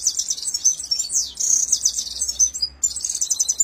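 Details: Rolling song of a red-fronted serin (Himalayan finch): continuous high-pitched, fast twittering and trilling with buzzy sweeps, one brief break near the end.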